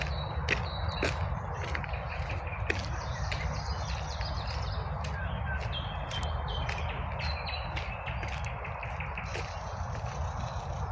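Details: Spring birdsong at midday, with thin high chirps and short whistled phrases scattered through, some in rapid trills, partly masked by a constant low roar of highway traffic.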